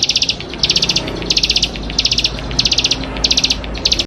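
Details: Persistent champion Bar-winged prinia gives dense, high, rattling bursts of quick notes, each lasting about a third of a second, repeated regularly, over a faint low hum.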